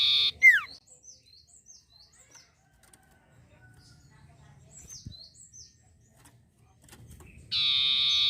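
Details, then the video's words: Long-tailed shrike (sirtu) singing vigorously: a harsh, buzzy nasal burst opens, then a sharply falling slurred note, soft high chips, and another long rasping buzz at the end. "pancingan sirtu gacor"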